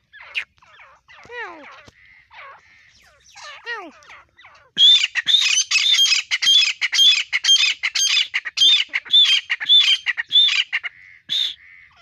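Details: Grey francolin calling: scattered descending whistled notes at first, then a loud harsh rhythmic series of grating calls repeated nearly twice per second for several seconds.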